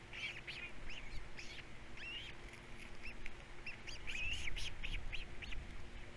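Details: Three osprey chicks on a nest at Captiva at feeding time, the parents' earlier broods lost to corvids: rapid, high chirping and squealing calls tumble over one another, some rising and falling in arched notes, over a steady low hum.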